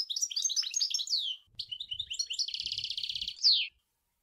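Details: Sour El Gouzlane style goldfinch song: fluttering slurred notes, a short gap, then chattering phrases into a fast buzzy trill and a loud sharp downslurred note to finish.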